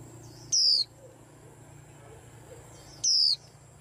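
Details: Two shrill, very high notes from a white-eye, each falling slightly in pitch, spaced about two and a half seconds apart over a low constant hum.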